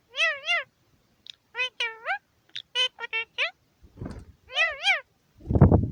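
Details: Rose-ringed parakeet, a male kept in a home aviary, talking to himself on New Year's Day 2021: clear, warbling human-like phrases with bending pitch in short bursts, plus a few rustling thumps.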